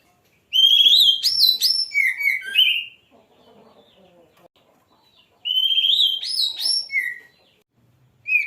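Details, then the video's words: Oriental magpie-robin, called kacer, in lively gacor song: two long varied phrases of bright whistles, high jumps and lower slurred notes, separated by soft low chatter, with another phrase starting at the end. "Kicau burung kacer Mantap keren langsung gacor"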